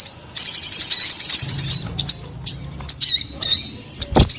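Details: Sogon delivering a lively song: a quick high twittering stream, then separate clipped chirps and upward-slurred whistles spaced about half a second apart.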